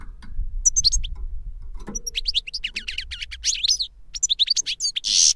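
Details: Older goldfinch singing to teach a younger one; after a quiet start, a dense run of quick high twittered notes and a short buzzy rasp at the end.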